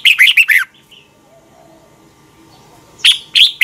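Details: Red-whiskered bulbul in Thailand singing the doubled song used to train young birds. A short bright warbled phrase, over two seconds of near silence with faint soft notes, then a new phrase of sharp chirpy notes.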